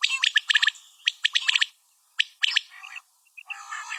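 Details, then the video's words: A calling female common quail gives dense runs of sharp, rasping chirps, then a pause, a few isolated clicks and soft piping notes, and a final buzzy burst. "Common quail Calling| Female Quail sounds"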